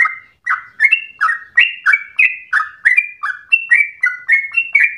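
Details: Energetic sooty-headed bulbul song, for stimulating and teaching other birds. After a brief pause, loud, clear whistled notes alternate low and high in a lively, bubbling sequence of roughly three notes a second.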